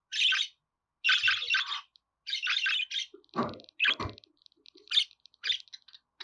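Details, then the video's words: Budgerigar giving scratchy, buzzy chirp bursts about once a second, mixed with low thumping knocks and rustles partway through, then more scattered single chirps. "Muhabbet Kuşu Sesi"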